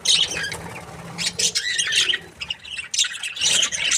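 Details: Happy budgerigar breeding pair producing rapid, raspy high chatter in clustered bursts, a dip in activity around two and a half seconds, then renewed squawky chirping.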